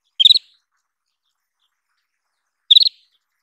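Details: Isabelline wheatear uttering two quick stammering calls of four or five sharp high pulses each, separated by about 2.5 seconds of silence.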